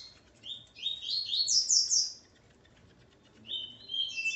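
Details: A male Coleiro, heard alongside his female, sings a dense run of rapid, buzzy, slurred notes. After a pause, a second phrase of higher, drawn-out whistles follows against a low background murmur.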